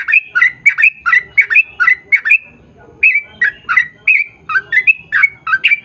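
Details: Yellow-vented bulbul lure song to set others of its kind singing: fast cascade of bubbly, chortling notes, a half-second pause, then further liquid phrases ending in rising flicks.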